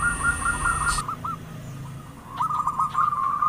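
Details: Zebra dove, perkutut, sung as a lure for attracting wild birds: rolling cooing notes run together in a steady warble, broken by a short pause, with a thin high whine over the first second.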